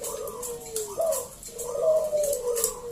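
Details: Vocal local zebra dove, used to entice other doves to sing, gives soft rolling coos that slide downward, with a short higher lift mid-phrase.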